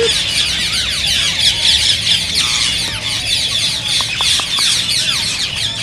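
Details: Rose-ringed parakeets, green ring-necked parrots, calling to stimulate other birds to sing and mate: a dense, continuous wash of harsh, high screeches and chattering from many birds, with a few short descending whistles near the end.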